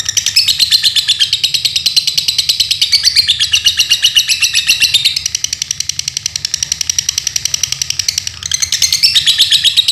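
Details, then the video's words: Caged lovebird of the Dunhil line kept as a songbird in Paduraksa, Pemalang, Central Java, Indonesia, singing a long continuous rapid chattering trill of high sharp notes, pulsing many times per second with brief dips, almost without pause. "Lovebird DUNHIL BIKIN GEGER!"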